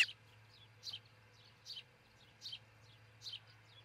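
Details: At a Charlo, Montana osprey nest watched by a camera, early on 22 June 2018, a bird gives thin, high, slightly descending chirps spaced under a second apart over a faint low hum.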